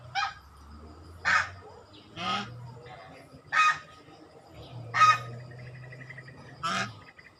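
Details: Scattered swan honks, short and nasal, sounding every second or so at varying loudness, with faint softer calls and low background rumble between them.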